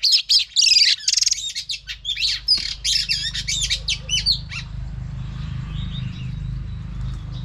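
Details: Female oriental magpie-robin song meant to excite males: about four seconds of rapid varied chirps and slurred whistles, then fading to faint distant notes over a low hum.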